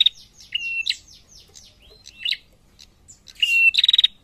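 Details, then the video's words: Female prinia calling, answered by a male, giving high, thin chirps and short level whistles, then ending with a quick burst of sharp ticking notes. "SUARA PRENJAK BETINA GACOR SAUT JANTAN"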